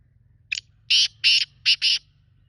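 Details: Black francolin call in its local kala teetar style: one short sharp note, then four loud, harsh, rasping syllables in two pairs, over a steady low hum.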